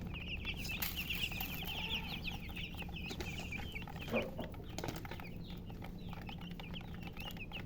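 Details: Baby chickens peep in a dense rapid run early on, then scattered single chirps, over a low droning hum and a brief thump.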